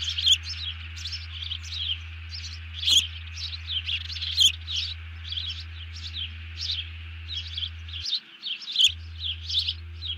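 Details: Bald eagle sounding an alert after taking a fish, the other eagle hitting the deck, early morning of 31 July 2020: sustained high chirping chatter in even pulses, occasional sharp ticks, a droning low hum briefly dropping out.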